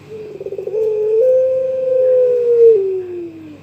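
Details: A young pelung-style Barbary dove calls to a rival with a quick pulsing roll that rises into a long, drawn, steady coo of about two seconds before sliding lower at the end.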